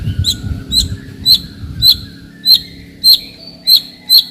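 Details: White-rumped shama used to provoke rivals: a sparse, regular series of short sharp high ticks, about two every second, over faint background noise.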